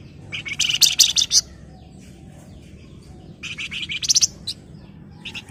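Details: Breeding-condition Flamboyan calling to a rival, uttering a burst of fast scratchy chatter, a pause, then a softer sequence of buzzy notes ending in short chirps, over low steady background noise.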